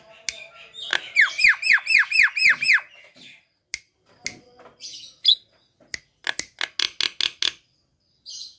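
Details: Javan myna in full song, meant to coax other quiet mynas into singing; a rapid string of ringing downslurred whistles, then clicks and a quick series of harsh rasping pulses.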